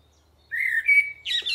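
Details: Common Blackbird singing in green spring woodland, Alblasserbos, Netherlands: one mellow, fluted, melancholic phrase rising slightly and ending in a brief squeaky high twitter.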